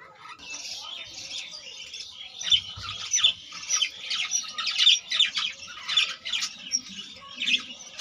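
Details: Breeding colony of budgerigars with some 25 newly born chicks: continuous shrill, scratchy chirps and warbles in rapid uneven bursts, several callers overlapping throughout.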